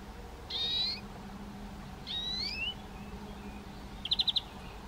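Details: Eurasian nuthatch whistling two clear, slightly rising notes about one and a half seconds apart, followed by a short burst of four quick, high piping notes over a low background hum.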